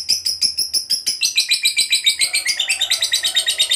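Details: Lovebird singing a long 'ngekek panjang' trill, a fighter-style song used to provoke other lovebirds: rapid, even, high chattering pulses that grow denser and slightly lower partway through, continuing without a break.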